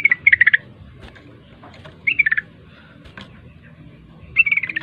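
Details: Sooty-headed bulbul, a kept contest songbird, giving its 'ropel' song as three short bursts of rapid bubbly whistled notes separated by pauses, over low background hum and a faint click.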